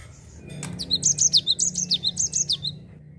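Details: Java sparrow singing in rolling 'ngerol' style to prompt other birds to sing: one two-second run of about a dozen sharp, high, downward-slurred notes, evenly spaced, above a steady low background hum.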